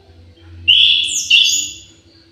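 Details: An aviary orange-headed thrush gives two bright, loud whistled notes with high overtones in quick succession, over a faint low hum.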